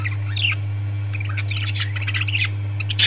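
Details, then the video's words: Several parrots calling together: a dense run of short harsh squawks and bright chirps, rapid and overlapping, over a steady low electrical hum. "Parrots 🐦 Sound"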